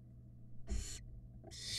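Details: Barn owl at a nest box in Florida as the mother brings a rat to one of her nestlings: two harsh, broad hissing bursts, each about a third of a second long, over a steady low electrical hum.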